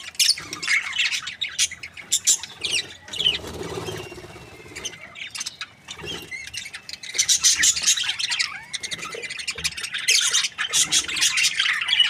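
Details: Happy budgies chatter in quick scratchy bursts mixed with thin whistled slides, a softer rustling stretch in the middle, then louder busy warbling again.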